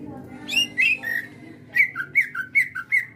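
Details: Pet greater green leafbird in energetic gacor singing, giving harsh squawky whistled notes alternating between two pitches, about two to three per second, after a brief quiet gap.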